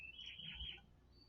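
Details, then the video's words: Rose-breasted grosbeak gives a brief, sweet warbled phrase rising and falling like a richer robin, over a low background rumble; its note seems to divide in two. "That sounded like a rose-breasted grosbeak. A"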